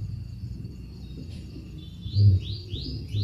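Scarlet minivet giving a quick run of thin, rising whistled notes, about three in a second, over soft background music and a low rumble.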